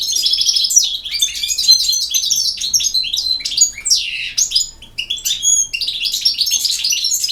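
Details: Goldfinch in campero song style delivering a continuous, fast stream of twittering, liquid trills and sharp high chips with brief nasal notes, hardly pausing throughout.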